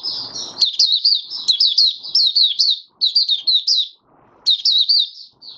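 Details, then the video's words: Oriental white-eye kept in a cage, singing openly five days after monthly deworming in January 2022; fast, sweet twittering phrases in close bursts with a brief gap near four seconds, a soft rustle at the start. "Mata Puteh Raja Video 1 buka sing"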